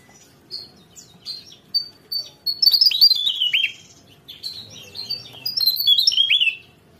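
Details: Javan tesia song opening with scattered thin high notes, then building into rapid tumbling phrases of bright chirps and downward-slurred whistles.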